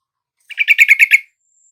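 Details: Caged-bird lure of a yellow-vented bulbul, meant to prompt a lazy or silent bird to reply: a short, fluid phrase of six quick, liquid gurgling notes that rises slightly and ends abruptly.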